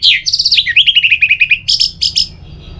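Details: Orange-headed thrush singing to stimulate other birds: a dense rapid trill of repeated chirps sliding downward, followed by a few strong high notes.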